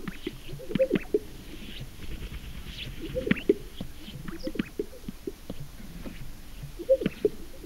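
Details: Greater sage-grouse booming on a lek in Oregon, USA, with paired hollow, bubbly pops every three seconds or so over a low swishing rumble; other displaying birds murmur in the background.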